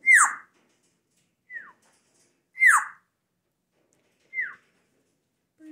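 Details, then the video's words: Pet Timneh African grey parrot breaking off from preening to trade whistles with its owner indoors: four clear, downward-sliding whistles in turn, two louder ones with a bright high edge and two softer, shorter replies. "Timneh African Grey whistling"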